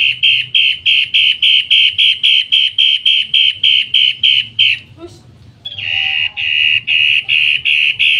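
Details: Long-tailed shrike kept as a tutor bird, rarely found at bird sellers, with a loud rough voice. Rapid grating notes, about three per second, halt for a short low call and pause before the harsh run resumes.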